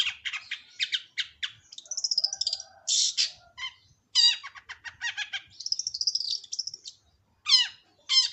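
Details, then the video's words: Long-tailed shrike singing a busy, varied string of chattering notes, short harsh bursts, downslurred chips and thin high trills, with brief pauses between phrases. "Pancingan Burung Cendet"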